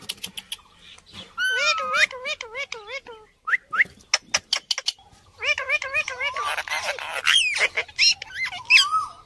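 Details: Indian parrot giving harmonic, wavering squawks in quick repeated runs, each bending up and down, mixed with sharp clicks and short harsh bursts.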